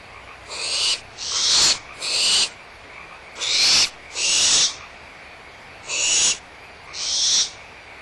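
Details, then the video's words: Barn owls at Audubon Starr Ranch Sanctuary give harsh, hissing screeches, seven breathy bursts of under a second each, about once a second. Young owls squabble over leftover food with the mother nearby, over a faint background hiss. "Barn Owls"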